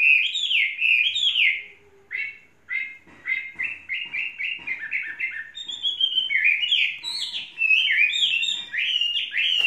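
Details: Three-season tame Chinese hwamei delivering lively song: clear whistled phrases, a brief pause, then fast repeated slurred notes and rising, rolling sequences that grow louder toward the end.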